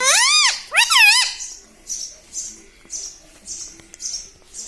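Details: Talking parrot: two loud, arched, voice-like syllables in quick succession, followed by a series of soft, breathy hisses repeated about every half second.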